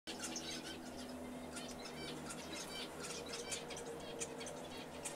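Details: A zebra finch sings quick, nasal, buzzy notes in a rapid chattering run over a steady low hum.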